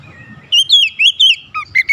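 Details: Oriental magpie-robin (kacer) challenging a rival, a short run of loud, clear whistled notes that rise and fall between about 2 and 4k, in about six quick phrases after a quiet start.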